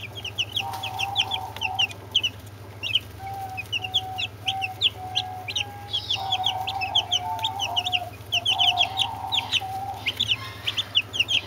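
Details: Flock of Brahma chicks plus two Orpington chicks calling constantly with high, rapid, thin peeps, with an intermittent flat whining tone and a low background hum.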